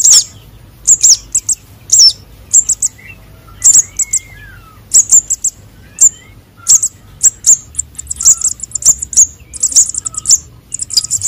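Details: Konin and sogon sunbird nestling calls for luring birds: busy, very high chirping in quick pairs and triplets, thickening into an almost continuous twitter toward the end, with faint lower whistles behind.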